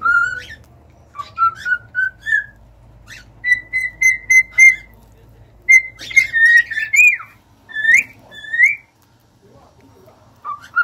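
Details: Singing cockatiels give short rising whistles, then a run of evenly spaced level notes, followed by chirpy upslurred whistles and a near-silent ending.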